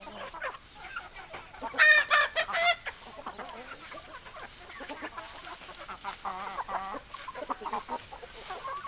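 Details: Hens cluck in a busy flock with overlapping short harmonic notes, a loud burst of squawking cackles near two seconds, then steady soft clucks and murmurs.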